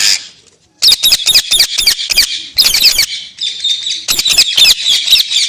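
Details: Loud, harsh parrot screeches repeated rapidly in grating pulses after a brief quiet opening, almost continuous for several seconds.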